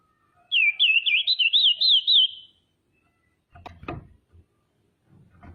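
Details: Female common iora calling actively, used as a lure to make rival irioras call and become agitated; a rapid wavering trilled whistle of about ten undulating notes lasting two seconds, followed by low knocking and handling sounds.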